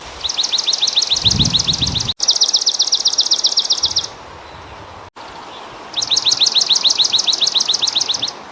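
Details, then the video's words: A swamp sparrow sings three bright, even trills of rapidly repeated high notes, each lasting about two seconds, with a brief low thump early on. "Bird Chirping Sound - Swamp sparrow"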